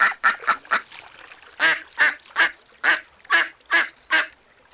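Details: Loud, harsh duck quacks on a lagoon: a fast burst of four, then a steady run of seven more, each about half a second apart.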